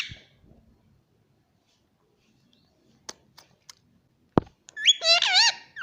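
A parrot speaks a brief, voice-like phrase in warbling, wavering tones near the end, after a few scattered clicks and a sharp knock in a quiet room.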